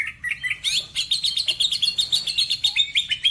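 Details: Greater green leafbird singing in Majalengka, West Java: a rapid, unbroken run of bright chirps and whistled notes, mostly mid-high and with sharp overtones, each note lasting about a fifth of a second, with no other sounds.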